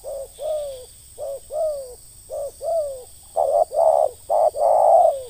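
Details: Spotted dove ngeruk calling for pikat trapping: first, softer coos with a short note and a drawn-out falling tail, then louder, broader, harsher paired coos at the end. A faint high hum persists.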